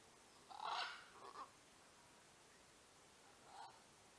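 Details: Released scarlet macaw visiting hanging feeders at the Punta Islita Wild Macaw Reserve on a Sunday morning: one loud, harsh, raspy squawk followed by a shorter rough note, then a quieter squawk about two seconds later.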